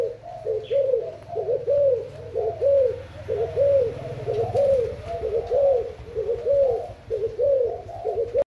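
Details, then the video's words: Spotted dove, Thai type, delivering a long series of soft low coos in rhythmic phrases about once a second, with a low steady hum underneath for the first half. "Cu gáy thailand"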